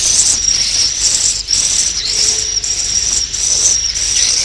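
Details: Roosting swiftlets: a continuous, very high, thin twittering tone that wavers slightly, with short breaks and occasional brief dips in pitch.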